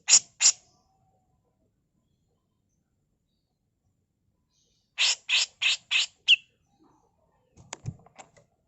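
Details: Female grey-cheeked bulbul used as a master tutor song: two harsh rasping notes, a long silence, then a rapid series of five scratchy bursts and faint clicks at the end.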